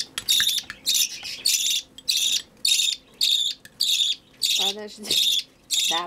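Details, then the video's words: Begging budgerigar chick during hand-feeding, steady harsh raspy squawks about every half second, roughly ten in a row, with a couple of lower, wavering notes near the end. "Выкармливание птенца волнистика"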